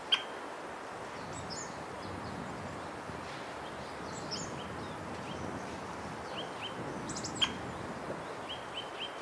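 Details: White-backed woodpecker in Hokkaido, Japan, recorded with a Nikon COOLPIX P950, giving call notes: two sharp, very short notes about seven seconds apart over a steady hiss, with faint chirps of other birds behind.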